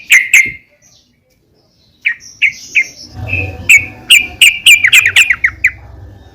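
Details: A female yellow-vented bulbul calls a male, used to stir bulbuls into song: two sharp chirps, a silent gap, a few spaced notes, then a quickening run of crisp chirps over a low rumbling background.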